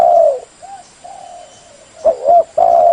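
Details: Spotted dove, used to lure wild birds, opens with a loud drawn-out coo, then softer short coos, ending in a burst of three clear coos in quick succession; a faint steady hum runs underneath.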